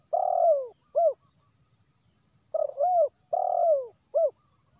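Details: Wild spotted dove from West Sumatra, its call played as a lure for trapping doves: mellow cooing phrases, a long falling coo followed by a short rounded coo, repeated three times over a faint high hiss.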